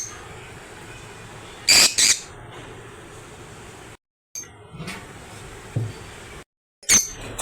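Lovebirds give shrill, harsh screeches in three brief bursts, two close together near the start and one near the end, over a steady hiss with short silent gaps.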